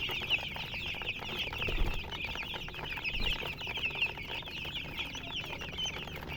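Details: Baby chicks in a group, steady chorus of high shrill peeps overlapping without pause, occasional low bumps and rustling beneath.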